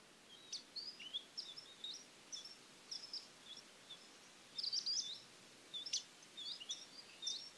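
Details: Varied Sittellas in the Capertee Valley, Australia, during the nesting season from eggs to fledglings; a steady run of high, thin, twittering chips and short upslurred notes, some in quick clusters.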